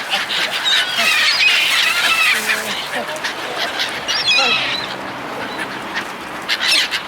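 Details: Gulls crowding as people feed them, giving harsh, overlapping squawks and squealing cries from many birds at once, with human voices mixed in.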